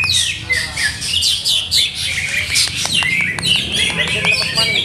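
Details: Caged greater green leafbird kept by a hobbyist who is still testing its conditioning setup; dense, fast, varied song of high whistled sweeps and sharp chips, with rapid buzzy trills and ticking notes packed together throughout.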